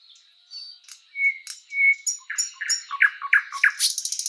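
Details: Spring-forest song of the thrush nightingale: soft drawn-out whistles, then sharp chirps quickening into rich repeated notes and a closing fast rattle.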